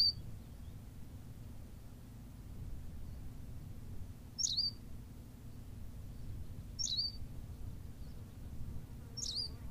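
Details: Series of four short, high chirps at irregular intervals of two to three seconds from a Berthelot's pipit on La Gomera in the Canary Islands, with steady low background noise.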